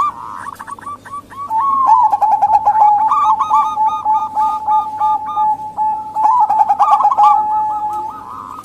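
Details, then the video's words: Zebra doves, local and Bangkok types, calling to lure reluctant males or wild doves; continuous overlapping rapid coo notes forming a busy rolling chorus, steady in loudness throughout. "Pancingan Perkutut Lokal & Bangkok Biar Rame Diteras"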